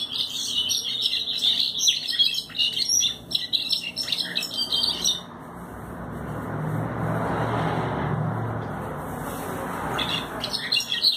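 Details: Pied European goldfinch singing a fast, high twittering song of jangling chirps and trills for about five seconds, then falling silent under a low, steady rumbling noise before a few last chirps return at the end.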